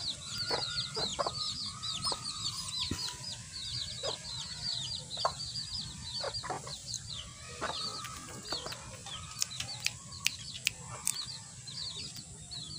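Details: Champion pure-white Ayam Ketawa, the laughing chicken, crowing in a series of stuttering, harmonic, laugh-like phrases repeated every couple of seconds. Dense high chirping from many small birds and sharp clicks fill the background.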